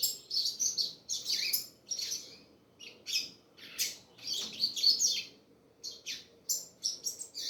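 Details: Double-collared seedeater song in short, separated bursts of high, scratchy twitters, each phrase lasting under a second with small gaps of quiet between them.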